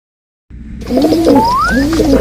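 A pigeon gives two soft, low, rolling coos about a second apart, while a thin rising whistle slides upward over the first coo.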